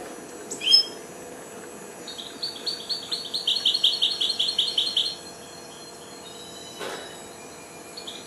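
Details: Four-month-old goldfinch hybrid that has just started to sing: a brief high note near the start, then a rapid run of high twittering notes for about three seconds, a sharp click later, quiet background hiss.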